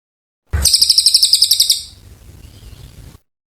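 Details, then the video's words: Oriental white-eye in lively, extended song, used as a tutor recording for magpie-robins: a fast run of high, thin, pulsed notes, about four per second, lasting over a second, then fading into quieter background rustle. "Cililin gacor panjang"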